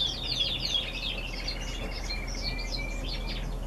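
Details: Canaries singing in November, quick descending chirp series followed by softer warbled phrases and a thin drawn-out whistle, low hum in the background.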